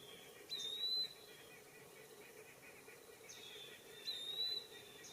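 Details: An Eastern wood-pewee in woodland gives two thin, high, slurred whistles about three and a half seconds apart over a steady hiss. A white-breasted nuthatch and a blue jay call in the background.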